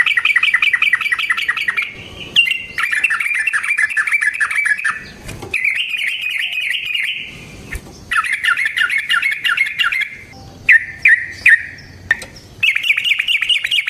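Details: Sooty-headed bulbul lure song in 'gacor ropel' style, meant to make other bulbuls answer: repeated bursts of rapid chattering trills and squawky chirps, broken by short quiet gaps.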